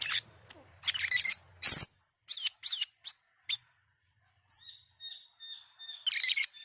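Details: Bursts of scratchy, rasping chatter alternate with single high whistled notes and a series of soft ticking clicks, ending in another harsh chattering burst, from a singing glossy starling.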